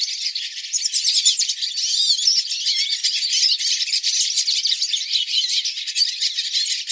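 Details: A flock of hooded siskins (Spinus magellanicus), recorded live, sings together in a dense, continuous chatter of high twittering and buzzy, warbled phrases that overlap throughout.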